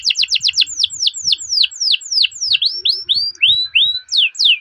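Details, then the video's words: Canary song used as a training lure for canaries: a string of high downslurred whistles, first rapid, then slowing to about two per second, with some swoops rising at the end and faint low thumps. "Masteran Suara Burung Kenari Ngerol Panjang cuit cuit untuk Pancingan Kenari"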